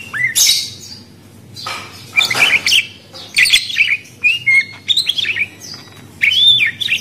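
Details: Budgerigar producing harsh scratchy bursts and squeaky upslurred whistles, spaced irregularly with brief quiet gaps, low hum in the background.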